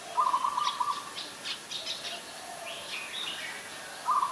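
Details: Ashy Woodswallow in Ubon Ratchathani, Thailand, recorded 20 October 2021, giving a rapid pulsed series of nasal notes at the start and again at the end, with thin, higher chirps from other birds between.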